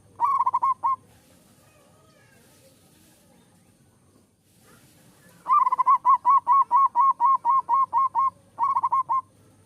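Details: Champion competition zebra dove in song: a short bubbling opening phrase, a silent gap, then a long rapid series of about a dozen evenly spaced fluty coo notes and a closing burst.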